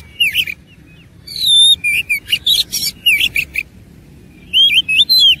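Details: Oriental magpie-robin singing in fighting mode with rich content; clear looping whistles and sharp clipped notes follow one another rapidly, ending in a rising and falling whistled flourish.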